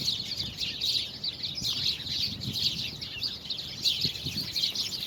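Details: Birds singing on 24 February 2020: a dense, continuous chorus of many overlapping high chirps and twittering notes, with a faint low rumble underneath.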